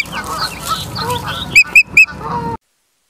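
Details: Osprey nest cam in Charlo, Montana, 30 August 2023, 23:23: soft mixed bird calls, then three loud, sharp whistled chirps evenly spaced, before the sound cuts off.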